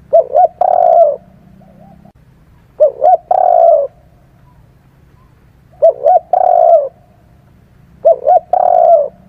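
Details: Spotted dove lure call for bird catchers: four phrases, each two short rounded hoots followed by a longer, drawn-out low coo, repeated roughly every two and a half seconds, with a faint low hum between phrases.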